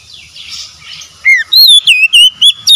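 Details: Oriental magpie-robin song intended to get a stressed, silent bird singing again: soft chattering gives way to a loud falling whistle and five looping, warbled whistles in quick succession.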